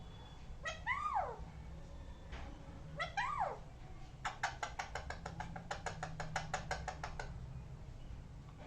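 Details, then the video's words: Parrot giving two harmonic calls that rise then slide steeply down, followed by a fast run of sharp clicking notes about five per second, over a low steady hum. "Parrot making different sound"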